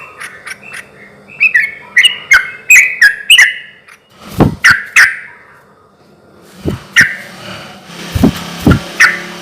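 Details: Sooty-headed bulbul song used as a lure to provoke silent or stressed bulbuls into answering; a short run of fluty, slurred whistled notes, then loud knocking thumps and clicks with a few scattered bubbly phrases between them.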